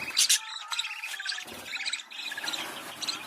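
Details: Budgerigars chirping and warbling in a breeding-stimulation recording, with sharp high chirps at the start, then a mixed twittering chatter with short clicks and a brief lull near the middle.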